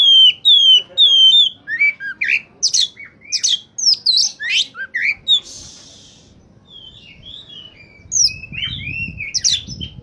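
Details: Oriental magpie-robin (kacer) singing at its best, used to attract wild birds for trapping: clear repeated rising whistles open, then rapid varied chirps and slurred notes, a brief hiss midway, and a quieter low rumble near the end.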